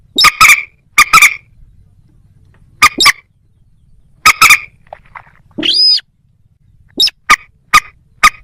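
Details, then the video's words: Moorhen calling: sharp, harsh clicking notes in pairs and short bursts, with one drawn-out squealing, nasal call in the middle and quiet gaps between bursts. "ডুংখোর পাখি ও খেনি পাখির ডাক(moorhen @ little cracked bird sound)"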